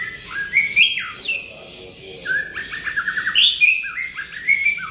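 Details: White-rumped shama in energetic 'gacor' singing, pouring out rich whistled phrases: rising and falling sweeps, a fast stuttering run of repeated notes midway, and bright high flourishes between short pauses.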